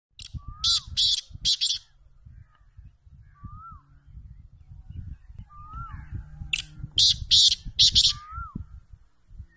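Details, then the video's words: Black francolin in Pakistan, a champion speeder bird of the chakri wala style, giving two series of three harsh, grating, high notes; a single whistled rising-falling note recurs between them, with low rumbling background noise. "chal so chal teetar Speeder Kala Teetar Chakri Wala Kala Teetar Numberi Teetar"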